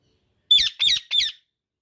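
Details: Indian ringneck parakeet letting out three quick, rasping squawks in a tight series, shrill and piercing with nothing else heard.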